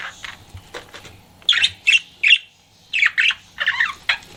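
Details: Pet budgie flirting: short bursts of scratchy chirps and squawky notes separated by brief quiet spells, several loud chirps in quick succession.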